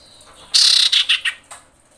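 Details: Common iora female in breeding mood calling males, played as a lure: one loud buzzy rasping burst, then three shorter harsh notes, each a little lower, ending in a faint trailing note.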